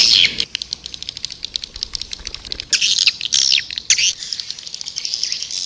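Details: White-nest swiftlet calling sound used to attract swiftlets: high sweeping chirps and dense buzzy twittering in bursts, with brief quieter stretches between, over background hiss.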